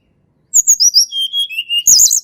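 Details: Natural Sunda robin song for luring birds that sing little: a fast tumble of shrill high notes slides into long pure whistles, ending in a loud quivering high trill.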